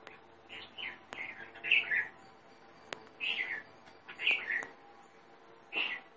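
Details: Sri Lanka grey hornbill, a bird endemic to Sri Lanka that lives mostly in the Southern Province: five or six short, harsh squealing bursts, each a quick cluster of notes, come about a second apart over a quiet background with a few clicks.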